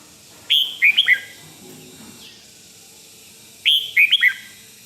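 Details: Red-whiskered bulbul from Thailand in 'rik' song, played for other birds to hear and excite them: two matching phrases of three to four sharp, falling whistles about three seconds apart over a steady hiss.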